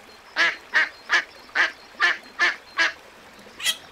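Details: Short sharp duck calls at a lagoon, seven clipped notes in a quick regular series, then a pause and one last higher, thinner call.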